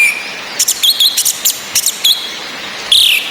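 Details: Female orange-headed thrush whistling over a rain-like hiss, played to stir the breeding drive of males that only twitter. Short high whistled notes are grouped between 0.6 and 2 seconds, then one longer falling whistle comes near the end.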